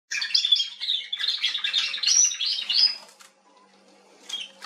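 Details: Atlantic canary singing in Remscheid, Germany, on 19 October 2021: a fast, continuous, twittering warble of high, rolling trills and chirps lasting about three seconds, then near silence with a faint, short chirp.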